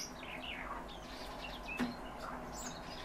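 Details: Calandra lark song: quick falling whistled slurs and bright chirps tumbling one after another, high and varied, with a brief click partway through and constant low background hiss.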